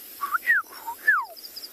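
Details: Eurasian golden oriole calling close by during a morning game drive in a private game reserve in South Africa, 14 February 2021: watery, liquid whistles, rising then slurring down, in a longer jumbled phrase, with faint high chirps behind.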